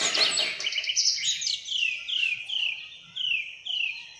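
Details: Alexandrine parakeet in a village setting: a burst of harsh, noisy screeching followed by a series of shrill, downward-slurred calls repeated about every half second, fading toward the end, with faint low background noise.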